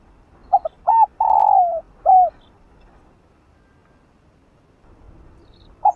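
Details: Spotted dove cooing, a recording meant to stimulate slow-cooing kept doves to sing: two short clipped notes, a long mellow slightly falling coo, then a shorter coo, a pause of several seconds and one more brief note. The background is quiet.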